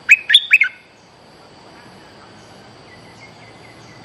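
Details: A young, spirited bulbul (merbah lekir) gives four quick, bright, chirpy notes in under a second, then a few faint, softer notes before one more sharp note at the end.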